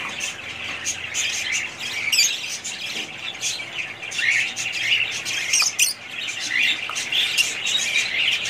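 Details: Budgerigars in a family group of pet parrots, chattering in dense overlapping chirps and squawks, high and scratchy, with sharp clicks near two and six seconds and no pause throughout.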